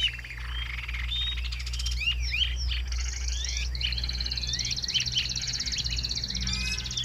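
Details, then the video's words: Caged Chinese hwamei singing richly: a dense, varied stream of whistled slurs, sweeps and chirps, rising and falling quickly, with a low steady hum underneath. "Cao cầu hót tốt - bóng bộ cực đẹp - Họat Họa Mi"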